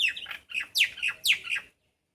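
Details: Common myna parents calling in distress from a tree because they cannot see their chick, which had fallen into a pond. Harsh, loud, descending squawks come in quick rapid bursts, about five strong notes, and then stop abruptly.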